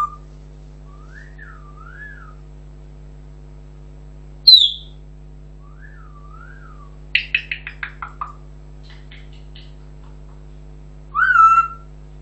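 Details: Pet African grey parrot making soft wavering whistles that rise and fall, a sharp high click, a quick run of about six descending chirps, then a louder whistle, all over a low hum.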